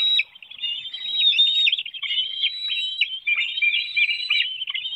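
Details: Bald eagle family at a nest in Hanover, Pennsylvania, 7:04 a.m., June 9, 2019: a parent serves a small fish to one young as another hops and flaps. Loud, continuous squeaky twittering whistles fill the whole stretch.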